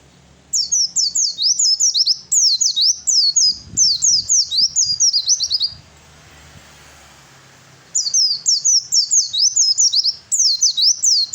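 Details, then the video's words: Male Oriental white-eye singing its fighting song to draw answers from other birds: long runs of sharp high slurred notes falling in pitch, delivered about twice a second, broken by a two-second gap before another run. "suara pleci fighter yang lain pasti nyaut !!!"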